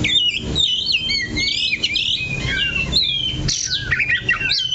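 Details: A caged oriental magpie-robin, perched in one spot, pours out continuous high whistles, slurs and trills, with background noise underneath.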